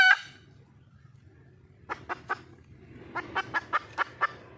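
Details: Seeking a male, a wild junglefowl hen ends a harsh squawk, falls quiet, then gives three clucks followed by a steadier run of six.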